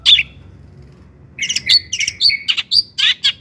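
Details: Long-tailed shrike song meant to stir other shrikes to sing: one sharp note, a pause, then a rich jumble of whistled, buzzy and chattering phrases.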